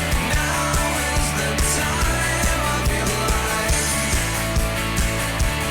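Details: Loud rock music with driving drums and distorted guitar fills the recording, and no animal voice comes through.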